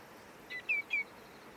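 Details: Common greenshank in Korea in early October, calling at length while foraging and preening: three clear, ringing whistled notes, each sliding slightly downward, the last two loudest, over faint background hiss.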